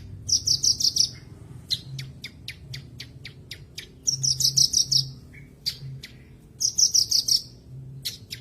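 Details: Caged branjangan song used as a master recording to restart singing in birds gone silent; three bursts of rapid, high buzzy trills, each followed by dry ticking clicks and single sharp chirps, steady low hum beneath.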